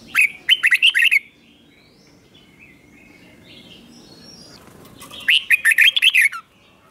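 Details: Caged red-whiskered bulbul delivering its slow, clear doubled song meant for young birds to learn: two bursts of about six to seven rapid warbled whistles, separated by a quiet pause with faint thin notes in the background.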